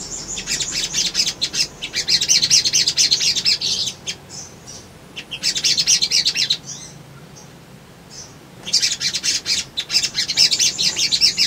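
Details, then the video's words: Male Crimson Sunbird (sogon) in excited lure song used to draw responses from rivals. Long rapid high twittering phrases about two to three seconds each, separated by clear pauses. "SOGON GACOR PANCINGAN BAHAN IJOAN"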